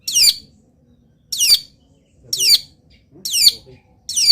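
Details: Loud, rough, descending scolding notes repeated about once a second from a local long-tailed shrike that sings steadily through its moult with mimicked wild bird sounds; faint murmurs in the background.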